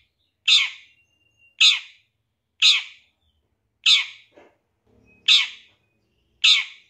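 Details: Lure recording of an untrained long-tailed shrike to get shrikes singing quickly and agitated: six hoarse, grating squawks spaced a bit over a second apart, with a few soft lower notes between.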